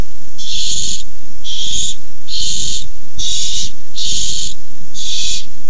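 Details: Barn owls caught on camera in a food fight over a tiny mouse, 6-4-15: six harsh, hissing screeches, each about half a second long, repeated almost every second, with low thumping and rustling beneath.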